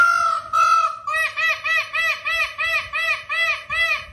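An Indian peafowl gives one drawn-out nasal wail, then a quick run of about ten loud, arched honking notes, roughly three each second.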